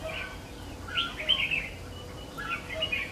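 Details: Red-whiskered bulbul used as a lure bird in trapping, recorded 3 September 2019: short chirpy warbled phrases in two brief bursts, faint against a steady hiss of outdoor noise.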